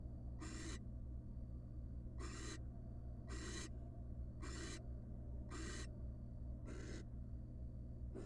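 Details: Barn owl in the wild at a nest box on the night the first nestling hatched, the male bringing a huge rat; rasping, noisy hiss-screeches roughly a third of a second long, sounding about once every second over a steady low hum.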